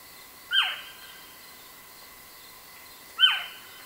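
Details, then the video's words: North American owl giving two short, harsh, downward-sliding screeches about two and a half seconds apart, fairly high-pitched, over a faint steady hiss. "Sounds of the North American Owl. Singing North American Owl"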